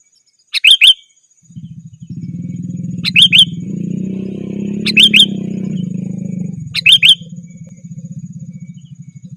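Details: Sooty-headed bulbul giving its rival-calling phrase, a lure sound for wild birds: a short, bright two-to-three-note bubbly phrase repeated about every two seconds, with a low droning engine-like rumble underneath.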